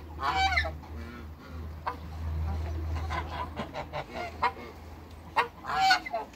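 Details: Backyard pair of African geese with other waterbirds: a harsh honk opens, then a run of short clipped calls from several fowl, and a loud double honk near the end over a low hum.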